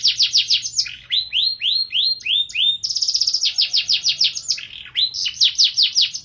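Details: Canary singing vigorously in the showy 'cengkok mewah' style: fast rolling trills of rising, down-swept notes, bright and high, with brief buzzy segments and rapid repeated phrases that change pitch every second or so.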